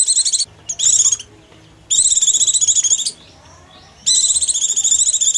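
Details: An Oriental white-eye's hungry or frightened call, used to attract small birds: short choppy bursts of shrill, rapid chattering notes, then longer buzzy runs separated by brief silences.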